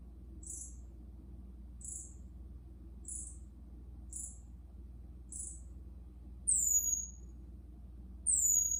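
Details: Newly arrived Green-backed twinspots, sub-Saharan African finches including extra males, singing in quarantine: short, very high thin notes repeated about every 1.2 seconds, then two sharp descending whistles, over a steady low hum.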